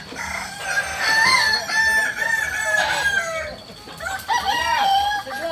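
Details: Kokok Balenggek roosters at a joint crowing practice in Amko, Solok city: overlapping harmonic crows with long wavering notes, one crow rising and falling in the middle and another starting near the end, against faint background chatter.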